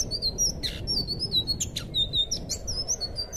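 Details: Thrush singing, recorded for teaching untrained cage birds: continuous high, sweet whistled notes, some long and level, others sliding, broken by sharp buzzy chirps, steady and loud throughout over a low hum.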